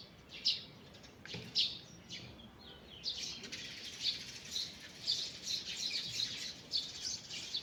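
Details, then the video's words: Wild birds singing in a forest in the morning; high chirps and short bright notes come in scattered bursts, thickening into a busy overlapping chorus in the second half, over a soft steady background hiss. "Morning Birds Singing in the Forest"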